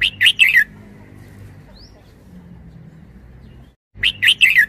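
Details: Red-whiskered bulbul, a decoy bird, sings a brisk three-note warbled phrase, falls silent for several seconds, then starts the same phrase again. A soft low hum fills the gaps.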